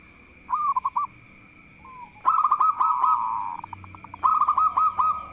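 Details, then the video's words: Local zebra dove singing vigorously to provoke rival birds: a short bubbling coo phrase, then loud, rapid rolling trills of rounded notes with sharp clicks, broken by a pause and resumed, over a steady high whine. "Perkutut Lokal Gacor || Jago Mancing Lawan"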